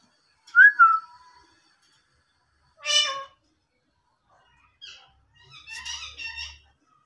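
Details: Indian ringneck parakeet, a talking parrot, uttering a short falling whistled note, a harsh squawky syllable, then a rasping buzzy phrase, each separated by pauses.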